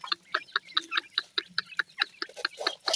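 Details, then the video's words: Grey francolin chicks giving short, sharp, clipped notes in a rapid, slightly uneven series, about four to five per second, each note bright and chirpy with no other clear sounds behind them. "grey francolin chicks ki voice,dakhni teetar chicks ki boli"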